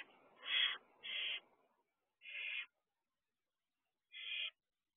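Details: Barn owl owlets on the roof of an owl box at night, 3:11 am, 2 June 2023: four harsh, rasping hissed screeches, the first two close together, the others spaced out by quiet gaps.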